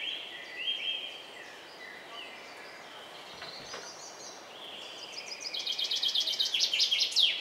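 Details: Song thrush feeding four young about 10 m up; soft scattered whistles at first, then a loud burst of fast repeated notes ending in a falling sweep, with steady background noise.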